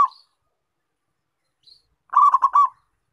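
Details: Zebra dove of a local strain, recorded as bait to attract wild doves, gives a single bubbly coo of four rapid clipped notes after a brief faint chirp, with silence around it.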